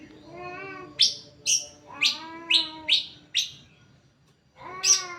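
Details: Greater green leafbird song used as a lure to get other leafbirds singing: rich, harmonic whistled notes under a string of sharp, high downward-slurred chips, about seven in five seconds, with pauses between.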